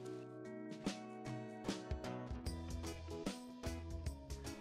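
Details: Plucked guitar music with steady rhythmic strums fills the recording, with no animal sound heard.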